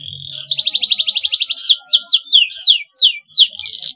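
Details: Domestic canary singing as a tutoring sound for young canaries still learning their song: a fast even trill of about twelve pulses opens, followed by a run of rising and falling whistled sweeps and short chirps.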